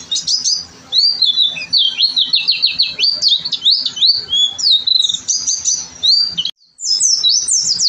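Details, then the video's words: Pleci gacor song from a masteran: continuous fast, very high chirps and slurred notes from an oriental white-eye, cut by a brief silence near six and a half seconds. "pleci gacor"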